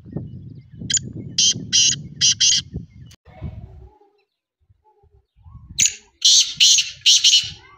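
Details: Black francolin calling twice, each time a quick series of four or five grating, buzzy high notes, with low rustling noise between the phrases.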